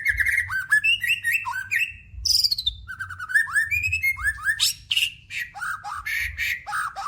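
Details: White-rumped shama in rich, varied song, played as a lure to get other shamas singing: continuous stream of fluted whistles, buzzy notes, high thin squeaks and quick chattering slides in changing patterns, with a faint low hum beneath.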